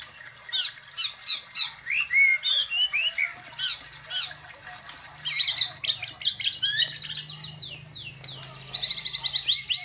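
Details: White-rumped shama delivering a busy filler-laden song: harsh squawking notes mixed with slurred whistles and rapid chatter in bursts about every half second, closing with a loud high rattling trill, faint low hum beneath.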